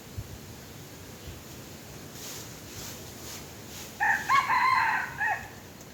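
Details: A red junglefowl, lured using a domestic hen or rooster decoy, gives a single clipped, grating crow near the end after several seconds of quiet hiss.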